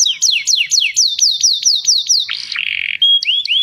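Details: Canary singing during mating: a fast series of high descending whistled sweeps, about four per second, then a buzzy steady trill and rising clear notes at the end.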